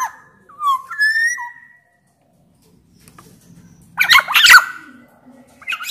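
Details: Black-naped oriole of Sumbawa origin singing loudly, a lure recording for orioles: clear falling and rising whistles, silence, then a dense harsh chattering burst followed by a brief whistle.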